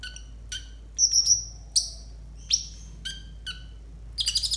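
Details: Training song from a konin for tutoring raw birds: a high warbled whistle, sharp falling chirps spaced about half a second apart, and a closing quick rattle.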